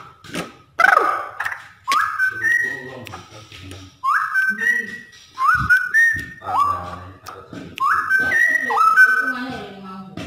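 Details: Straw-headed bulbul, locally cucak rowo, singing a training song: a run of mellow rising whistled notes, about one phrase every second or two, loud and fluty, with faint low murmurs between.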